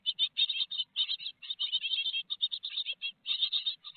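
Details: Nest-box great tits in Théding, France, on 4 May 2021 while a big peanut is delivered: loud, high, rapidly repeated squeaky chirps in near-continuous chattering runs, with brief gaps between bursts.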